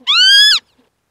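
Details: Northern lapwing giving a single drawn-out, nasal, wheezy note lasting about half a second, held level then slightly rising at the end, with a few faint soft clicks afterwards in otherwise quiet surroundings.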